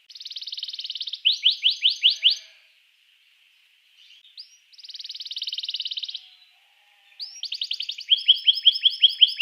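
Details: A canary sings to stimulate other canaries, alternating buzzy rattling trills with bursts of rising chirps, separated by short silences, with faint background ambience.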